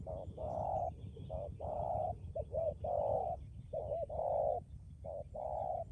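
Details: Decoy spotted dove cooing firmly, mixing long, drawn-out coos with short clipped notes in an uneven rhythm, the phrases repeating over several seconds above a low rumble of background noise.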